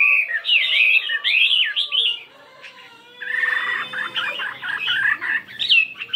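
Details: Chinese hwamei, a 72-gram fighting bird, singing in the morning: loud looping whistles, a pause of about a second, then a long run of fast, chattering varied phrases.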